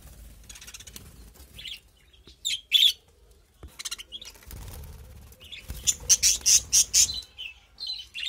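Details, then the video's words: Kept birds in a small colony give high, bright chirps in scattered bursts, ending in a quick run of five or six sharp notes, with light rustling in between. "পাখির কিচিরমিচির"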